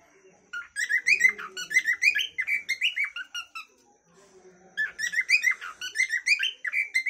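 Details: Cockatiel calling song made of rapid whistled phrases with many overtones, notes swooping up and down; two bouts separated by a short pause, with faint low background noise between them.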